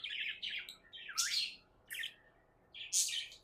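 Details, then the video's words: Happy pet budgerigar chirping: warbled chatter, then three loud scratchy bursts spaced about a second apart, separated by quiet gaps. "Happy budgie chirping sounds"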